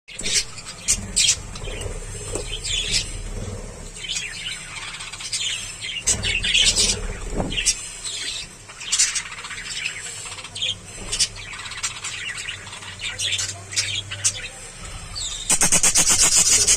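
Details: Budgerigar (Melopsittacus undulatus) chicks on a pet farm give rapid, thin chirps and squeaky tweets, with a low hum underneath.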